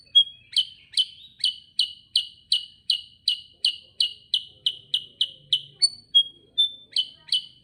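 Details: Continuous 'gacor ngerol' song of a sooty-headed bulbul: crisp high chirps at a rapid steady pace, broken near the end by a few clean whistled notes before the chirping resumes.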